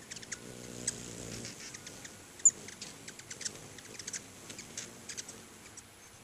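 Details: Hummingbirds crowding two feeders outside a house make a steady scatter of faint, very high ticks and chips over a low humming background.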